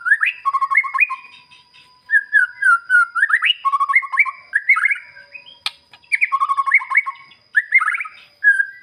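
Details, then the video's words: A white-rumped shama sings rich, varied whistled phrases in quick bursts, rising and falling, with brief pauses and no other sounds, used as a lure to get quiet shamas to answer and sing their full repertoire. "SUARA KICAUAN BURUNG MURAI BATU"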